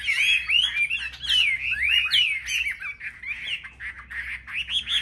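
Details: Chinese hwamei, selected caged birds on a market rack, in competitive singing: loud, rich whistled phrases with rapid rising and falling slurs, tumbling continuously with brief harsher notes mixed in.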